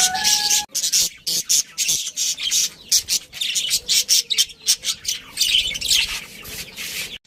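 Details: A budgie breeding pair and family chatter busily: dense, harsh, high-pitched chirps in rapid, irregular bursts, opening with a brief steady whistled tone and keeping up continuous scratchy twittering throughout.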